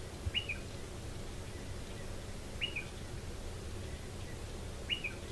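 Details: Striated pardalote at a nest in a stone wall under a shed; three spaced two-part calls, a high sharp note sliding to a lower one, roughly every two seconds, amid faint low noise.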